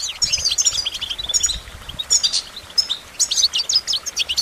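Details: Goldfinch song of quick, bright chirps and twittering trills coming in clustered bursts, with short pauses between phrases.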